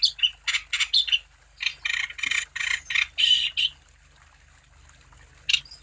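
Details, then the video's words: Wambi singing as a lure for other wambi birds: short bursts of harsh, high chattering notes grouped in uneven phrases, then a pause of quiet and a single sharp note near the end. "Burung Wambi Gacor Untuk Umpan Supaya Wambi Anda Tambah Gacor"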